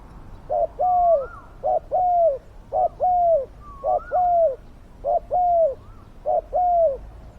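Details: Decoy spotted dove with a fierce, big voice, calling to lure wild doves: paired coos repeated about every second, each a short note then a longer falling one, faint rising whistles behind.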